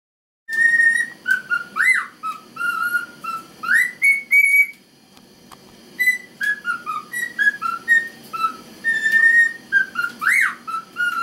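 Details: Male cockatiel, a pet, excitedly whistling the Chocobo theme to an ignoring female. Clear stepwise whistled melody of short and held notes with two sharp upward squeaky swoops, a brief pause midway, and a faint low background murmur.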